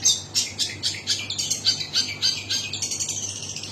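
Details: Long-tailed shrike song: rapid series of sharp, high chattering notes, about three per second, with a busy, varied, scratchy quality throughout.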